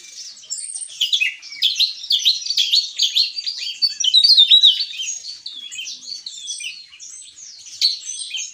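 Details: Javan tesia singing in the continuous, energetic ngeplong gacor style: a rapid, jumbled stream of high, thin, whistled and buzzy notes, some sliding up or down, in short bursts with brief pauses and no other clear sounds.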